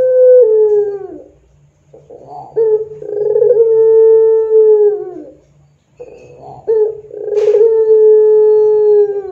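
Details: Barbary dove singing in the long pelung style, kept as lure audio for tutoring doves: three sustained level coos, each sliding down at the end, broken by brief rolling trills and short pauses.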